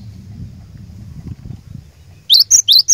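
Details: Cinereous tit song used as a lure to set other tits singing: after a low rumble of background noise, four rapid, piercing, high whistled slurs burst out in quick succession near the end.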